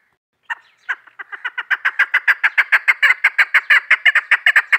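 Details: Female chukar partridge, hunter's call: after half a second of quiet, isolated clucks build quickly into a fast, swelling sequence of repeated chuck notes that runs on to the end.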